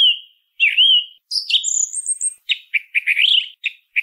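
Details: Singing song thrush, widespread in towns and countryside: a slurred whistle, a high thin squeaky phrase, then a quick run of scratchy notes repeated in rapid succession. No other sound.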